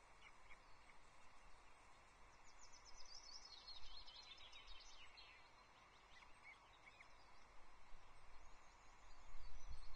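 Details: Osprey on a Loch Arkaig nest, 23 May 2024, where a chick goes walkabout before the mother gathers it back; a dense burst of rapid high chirping for about three seconds mid-clip, with steady background rumble.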